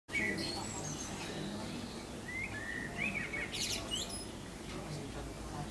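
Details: Pied wagtail at Findhorn, Moray, Scotland, giving sharp, high chirping calls in short bursts over a steady low background rumble, with a faint murmur of voices.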